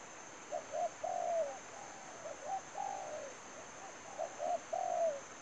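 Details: Lure spotted dove at a trap giving repeated coo phrases, each opening with short hollow notes and ending in a longer descending coo, three phrases in quick succession against a constant high-pitched hum.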